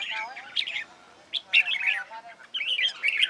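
Red-whiskered bulbul singing bright, warbled phrases of bubbly, chirping notes in quick bursts, with brief pauses between phrases; no other clear sounds.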